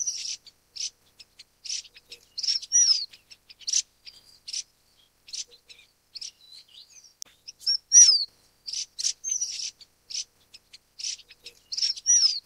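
Golden parrotbills give a busy stream of very high, thin chips and short down-slurred twitters in quick irregular bursts, with no other sounds.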